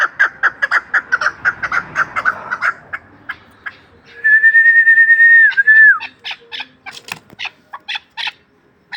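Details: Chukar partridge, a hunting bird from Ishkashim, Tajikistan: a fast series of clipped, repeated chuk notes, then a long, steady whistled tone with a dip at its end, followed by scattered sharp clicks and short notes.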